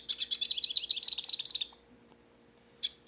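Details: Wild hooded siskin singing in nature: a quick run of about a dozen high, evenly spaced chirps rising into a trill, then silence and a brief final twitter.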